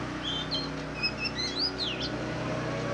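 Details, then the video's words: Oriental magpie-robin, black form, singing a short run of thin whistled notes and sweeping slurs that climb to a bright downward-then-upward flourish near the end, with a constant low hum underneath. "Than đen hót, black magpie singing, kacer hitam"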